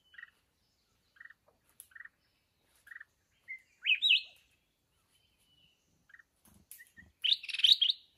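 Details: Wild mountain red-whiskered bulbul during trapping with a decoy bird. Short clear notes repeat about once a second, broken by two brighter warbled phrases that rise and fall, with faint rustling near the end.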